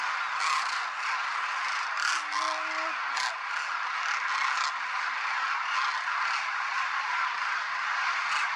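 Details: Wintering Demoiselle and Common Cranes near Nal Sarovar, Gujarat, India, January 2021, in flocks of thousands: a dense, continuous chorus of overlapping rolling, trumpeting calls with no gaps, plus one brief low steady tone.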